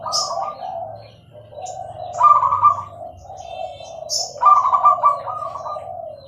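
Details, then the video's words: Clear-voiced Bangkok zebra dove singing: high sharp notes before rolling staccato coo phrases over a continuous lower purr, with faint background hum. "perkutut gacor suara jernih"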